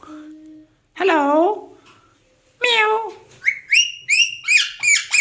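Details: Speech-mimicking Alexandrine parakeet giving two long, wavering meow-like calls, then a quick series of five high, clipped whistled notes.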